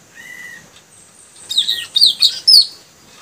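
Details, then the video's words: Newly caught male puling bird, one of three caged males being trained to sing; a thin steady whistle, then a burst of sharp high chirps and rising-falling twittered notes over about a second. "Suara gacor burung puling tajaling si anak baru"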